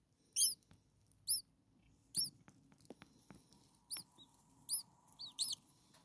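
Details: Six few-days-old starling nestlings beg hungrily in a nest, giving high, thin, downcurved squeaks about once a second over a faint hum, with a few soft taps in between.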